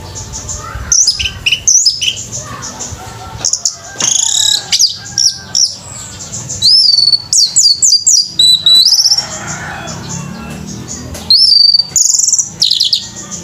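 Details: Orange-headed thrush singing at a bird competition: bursts of shrill, varied whistles and chattering notes in quick succession, some rising and falling slurs, broken by brief pauses, over a low background rumble.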